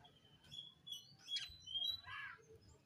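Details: Dark-morph oriental magpie-robin searching for an opponent, singing soft, drawn-out pure whistles and a thin sharp note, then a brief raspy burst, against a steady low rumble of background noise.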